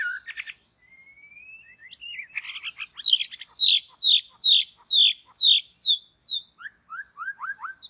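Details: Forest white-rumped shama, recorded while trapping birds, gives harsh notes, a thin rising whistle, then a rhythmic series of about ten loud buzzy repeated notes, ending with falling whistled slurs.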